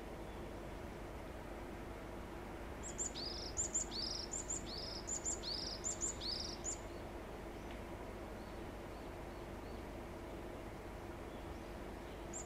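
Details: Varied tit singing while stretching after bathing and preening, June 13, 2021: a short run of about seven quick, high notes, each a sharp tip sliding down, over a steady hiss of outdoor background noise.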